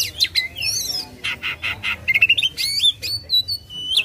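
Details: Aggressive white-rumped shama, tail fanned, giving harsh raspy squawks followed by a fast stutter of clicks and long level whistles, used to get a silent bird singing.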